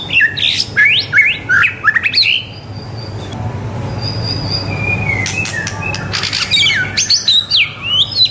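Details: White-rumped shama in full, lively song, used as a tutor recording for young shamas to learn singing quickly; loud varied phrases of sweeping whistles and sharp rising and falling notes, with short pauses and a low background hum.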